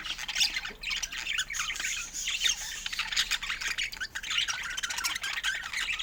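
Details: Pet budgerigars chattering in a dense, continuous warble of rapid squawks and chirps, overlapping busily throughout with no pauses.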